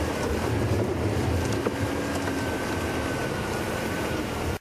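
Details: A vehicle engine drones steadily under wind noise, with a faint low hum and one small knock, then the sound cuts off abruptly; no animal is heard.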